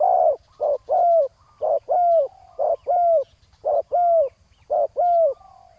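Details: Spotted dove luring session with a decoy on the ground: a rhythmic series of paired coos, a short note then an arched ringing one, nearly once a second, with a soft low pulse beneath.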